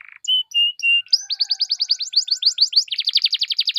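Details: Canary song played to prompt other canaries to sing: three short steady whistled notes, then a long rapid series of chirping notes that ends in a dense rolling trill.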